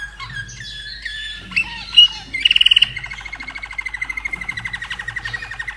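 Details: Austrian-kept caged common nightingale, from 2011, delivers a short song. Whistled slurs lead into a fast pulsed rattle, then a long run of rapidly repeated notes about five per second. Low background hum.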